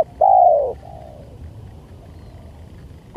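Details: Spotted dove lure sound, one loud, drawn-out mellow coo followed by a softer falling note, over a low rumbling background, with another coo starting right at the end.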